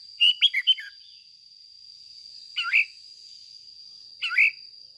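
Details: Caged decoy red-whiskered bulbul in agitated ché song, an opening run of rapid bright chirps followed by two short rising warbled phrases, a steady high whine running underneath.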